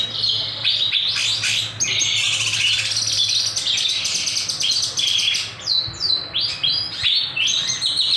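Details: Kinoy bird singing strongly, used as a master or lure recording: a dense, continuous run of high chirps, sharp whistles and trills that flow almost without pause.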